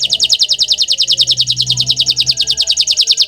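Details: Song of a bottle-green canary: a steady, rapid trill of high descending notes repeated evenly throughout, bright and rhythmic, with a faint low hum beneath.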